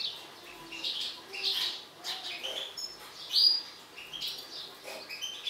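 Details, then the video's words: European goldfinch of a mutant colour form, said to be agitated, uttering scattered high chirps and twitters with one sharp, bright whistled note standing out midway. "حسون طفرة هائج"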